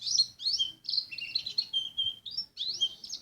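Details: Quiet, jumbled high warble by a white-eye of Lumajang, slurred whistles and short buzzy trills running together over faint background noise.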